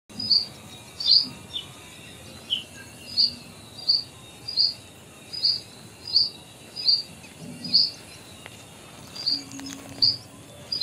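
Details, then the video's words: A Purple Sunbird in eclipse plumage, or a juvenile, gives sharp, high, thin chip notes, repeated roughly every half to one second, with a faint background hum. "Purple Sunbird Call in Eclipse Plumage / Juvenile Purple Sunbird / Purpursolfugl / nektarnik"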